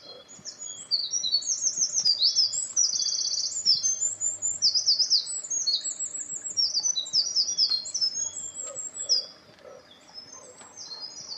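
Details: Wild Eurasian wren singing in a dim spot, filmed May 21, 2017 with wind-noise protection: a long rapid high-pitched torrent of trills and sharp chirps, bright and tumbling, pausing briefly near the end before resuming softly.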